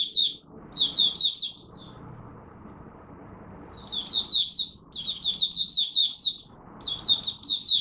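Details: Early-morning first warm-up of a Malaysian oriental white-eye kept as a songbird: bright, high chirping phrases in quick runs, broken by short gaps filled with faint low background rumble.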